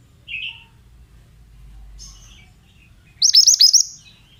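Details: Male Oriental magpie-robin giving a few scattered soft high chirps, then a loud rapid burst of five or six sharp descending whistled notes near the end; faint low rumble underneath.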